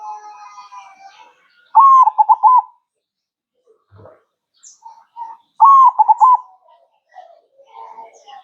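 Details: Zebra dove manggung song, two phrases of a long coo and rolled bubbling notes about four seconds apart, with other faint bird chirps and warbling in the background.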